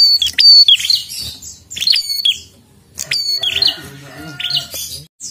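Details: Prinia in full voice: bright, harsh chirps delivered in rapid groups, then a busier stretch of overlapping notes over faint low murmuring.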